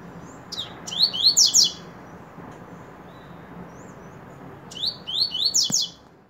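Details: Coleiro (Brazilian seedeater) of the Espaik singing style: two short bursts of bright, rapid descending whistled notes, each about a second long, separated by a quiet pause, over a soft low background hiss.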